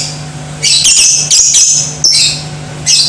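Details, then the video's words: Lovebird calling used to stir other lovebirds into fighting and singing: a dense run of piercing, scratchy chirps and squeaks lasting over a second, then a short burst and a final squeak, over a low hum. "Di Pancing Suara Lovebird Ini , Bikin Jadi BRIGAS"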